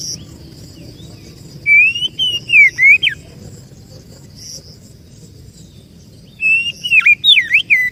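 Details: Kacer, or oriental magpie-robin, lure song used to draw birds in: two bursts of clear whistled phrases with wavering and sharply dipping notes, separated by about three seconds of near silence.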